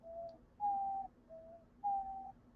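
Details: A pet female diamond dove indoors on Christmas evening gives four faint, soft, flute-like coos, "boop, boop", each about half a second, alternating between a lower and a slightly higher note, over a faint low hum.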